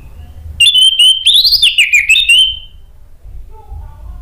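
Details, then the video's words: An orange-headed thrush gives a loud, clear whistled phrase of about two seconds, sliding and warbling high with rapid trills in the middle; it is used as a lure sound to prompt other orange-headed thrushes to answer. "bikin ANIS MERAH lain jadi ikut NYAUT NGEPLONG"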